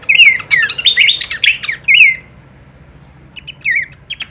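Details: Masteran recording of Horsfield's babbler in full kleperan variation: a rapid run of bright whistled, bending notes for about two seconds, a pause, then a few short whistles; faint low hum behind.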